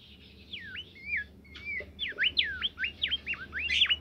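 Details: Caged bimoli bird singing actively: a rapid run of sweeping, slurred whistles that rise and fall, delivered in quick succession with a faint low hum beneath.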